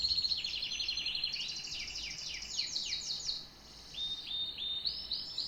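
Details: Singing canary delivering quick descending chirp trills that change speed and pitch, a brief pause, then a steady whistled trill rising at the end.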